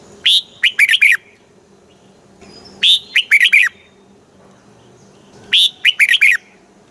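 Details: Red-whiskered bulbul song in the southern master style, played to excite caged bulbuls and teach young birds; three bright whistled phrases of quick rising and falling notes, each burst about one second long, repeated roughly every two and a half seconds.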